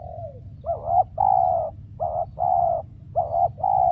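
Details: Trapping decoy spotted dove calling with no wild doves answering. A faint falling note, then three loud, evenly spaced two-part coos, each a short note followed by a longer hollow one.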